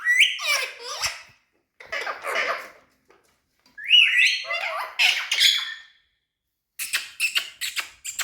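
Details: Tame talking rose-ringed parakeet, a green ringneck kept as a pet, giving bursts of harsh, raspy squawks and screechy rising notes in short groups separated by pauses, then a run of quick, sharp chattering notes.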